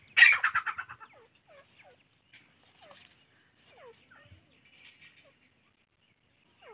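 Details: Francolin chicks (teetar): one loud, harsh, rasping burst at the start, then soft, short, falling peeps spaced about every half second in near silence.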